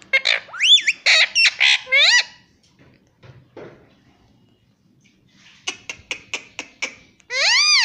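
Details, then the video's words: Chatty pet Indian ringneck parrot saying 'mummy, papa': a fast burst of shrill, twisting syllables, a quiet gap, a row of short clicks, then one long nasal note. "बातूनी शैतान तोता || मम्मी पापा बोलूंगा || parrot talking everything"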